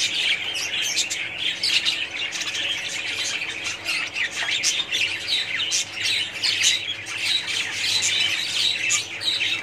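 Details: Budgerigars in a colony keep up nearly ten seconds of loud, overlapping squawks, chirps and warbled chatter, the din rising and falling in waves.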